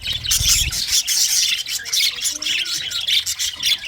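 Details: English budgerigars singing and chirping: a dense, continuous high chatter of rapid buzzy trills and squeaky chirps from several birds, with a brief low thump at the start.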